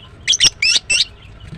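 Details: Female greater green leafbird chirping: four loud, squeaky, slightly harsh notes delivered in quick succession within about one second, the middle two longer and more slurred, followed by quiet with only faint background hiss.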